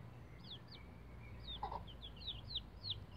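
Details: Bantam Rhode Island Red chicks about 11 days old, using a chicken ladder: high, thin peeps that slide downward, repeated in quick succession, with a couple of lower soft notes midway and a steady low background hum.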